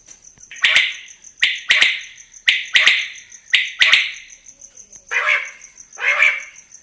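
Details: Adult quail gives six harsh, raspy notes, each with a sharp click at the start, about one per second, over a thin, steady high whine.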